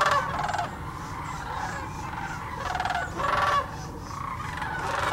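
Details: Massed sandhill cranes on their yearly migration stop at Hiwassee Wildlife Refuge in Birchwood, Tennessee, give trilled, purring calls that swell loudest at the opening and again around three seconds, over constant background murmur.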